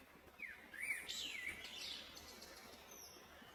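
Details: Wild blue jay pecking grain, giving a short run of sliding whistled chirps that rise and fall for about two seconds, some sharper high notes above, over a steady faint hiss.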